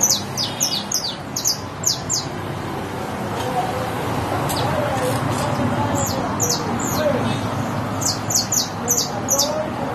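Saffron Finch singing bright, high chirps in quick clusters of falling notes, pausing between bursts, over a steady murmur of voices and background noise.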